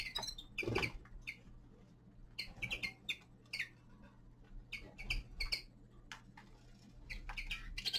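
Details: A young male linnet heard in winter utters scattered high chirps, often doubled, with thumps and light tapping noises and a continuous low background hum.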